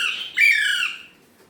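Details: Indian ringneck parrot speaking Urdu/Hindi words, a brief scratchy syllable leading into a louder, strained, drawn-out utterance that slowly fades.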